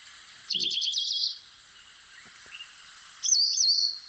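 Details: African pied wagtail song played back over flowing water: a high, rapid trilled phrase, a pause, then another bright phrase with a sharp rising whistle leading into a quick twitter.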